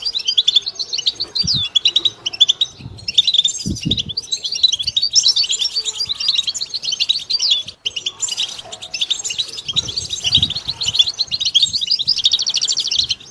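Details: Goldfinch singing during song training: continuous, busy high twittering with rapid chirps and short trills throughout, and soft low knocks and thumps in the background.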